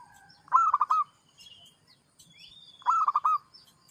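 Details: Zebra dove, a kept singing bird, giving two short phrases of rapid, rolling staccato cooing notes, each burst about half a second long and separated by a pause of almost two seconds, with faint high chirps between phrases.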